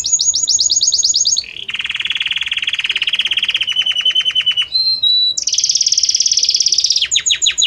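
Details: Belgian canary singing a harmonious, varied song that shifts gradually from note to note: fast high trill, then a long buzzy rolling trill, brief pure whistles, and a bright sustained high trill ending in rapid chirps.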